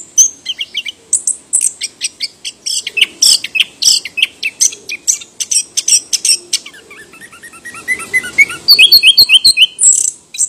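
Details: Chestnut-capped thrush (anis kembang) from Southeast Asian forests singing a busy, varied stream of high chirps and whistles, ending in a series of quick, evenly spaced rising notes.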